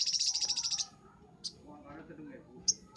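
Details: Crimson sunbird in a master recording for training birds, singing energetically: a brief, very high, rapid trill lasting under a second, then quiet with a few isolated sharp chips and faint low background sounds.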